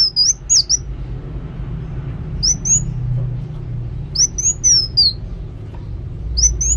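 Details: Kolibri wulung sunbird singing actively, short clusters of high, thin, slurred whistles spaced roughly two seconds apart over a faint low background hum.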